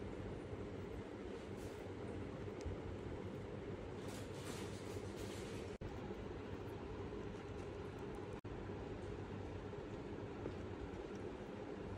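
Steady low rumbling like a passing train fills the recording, with no bird or other animal calls heard.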